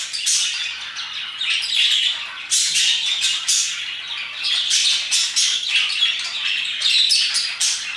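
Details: At roughly 2pm, parakeets sing their hearts out in a busy, unbroken chorus of shrill squawks and rapid chirps, with louder clusters every second or two.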